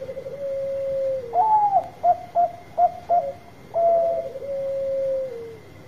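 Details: Bangkok-type zebra dove with a big voice, singing steadily, used to coax reluctant birds into singing. A low rolling coo opens, then a brighter drawn-out note, four short clipped hoots and a long falling coo. A faint steady high hum runs throughout.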